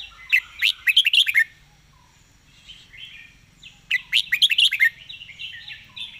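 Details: Quick, rapid-fire 'zone' style song of a red-whiskered bulbul: two loud runs of fast chattering, whistled notes about three seconds apart, with quieter warbles between.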